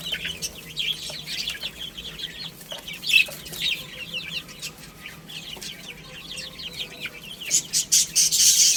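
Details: Chicks eating and playing, dense chorus of high, thin, falling peeps repeated roughly twice a second, growing louder near the end with sharp, piercing cheeps.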